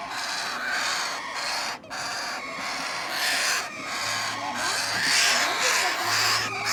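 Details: Hand-fed parrot chicks keep up a continuous, grating begging chatter with quick repeated pulses, growing louder and shriller after four seconds, with a faint low hum beneath.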